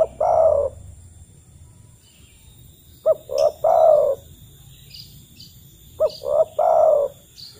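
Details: Spotted dove call, used as a lure to coax reluctant kept doves into calling and given in the wild to call other doves: low hoarse three-part coos, a short note, a rolling note, then a long drawn note, repeated about every three seconds, faint high chirps behind.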